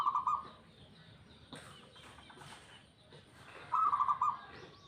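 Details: Local zebra dove song, heard as two short runs of quick, evenly pulsed cooing notes at the start and near the end, with faint background rustling and knocks between them.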